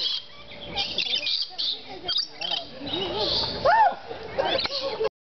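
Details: Green-naped lorikeets in the walk-through Lorikeet Landing exhibit at San Diego Wild Animal Park, where visitors feed them, keep up shrill, screechy chatter with rising and falling squeals over murmuring human voices.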